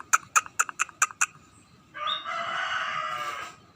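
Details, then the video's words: Scaly-breasted munia beginning to sing: six quick, sharp clicking notes lead into a long, nasal, wheezing whine held for about two seconds. "burung emprit [peking] mulai gacor"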